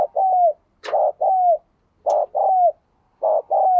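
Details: Spotted dove cooing, played for captive doves to answer: three loud phrases, each a short throaty note followed by a longer downslurred coo, spaced about a second apart, with faint clicks between.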